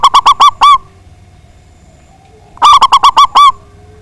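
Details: Song of a local zebra dove with a big voice, meant to provoke rival birds into answering: two phrases of five or six fast, mellow, bubbling coos, the last note of each slightly longer, separated by a short hush.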